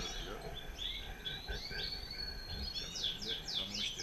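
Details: European goldfinch pair, male and female placed together. Scattered twitters lead into a quick series of sharp, downslurred chirps at the end.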